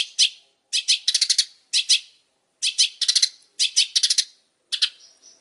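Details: Long-tailed shrike, described as very vocal, giving repeated harsh scratchy chatter in runs of one to five rasping notes, with short silences between runs and a thin whistled note at the end.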